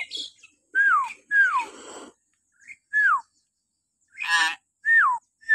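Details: Morning shrill calls of a common hill myna, played to captive mynas as training: repeated loud downward-sliding whistles spaced about a second apart, broken by one harsh raspy burst.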